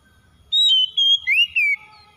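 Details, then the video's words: Oriental magpie-robin song played as a lure to set a reluctant magpie-robin singing: a long high whistle followed by a slurred, wavering whistled phrase, in a short loud burst. "SEKALI PANCING KACER SUSAH BUNYI LANGSUNG ON IKUT GACOR"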